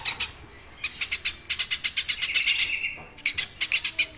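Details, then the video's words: Tree sparrow chatter kept as training material for other songbirds: rapid runs of sharp, bright chirps several per second, broken by short gaps, with a steady thin tone beneath one run. "masteran Burung Gereja: Si Kecil Bersuara Ramai"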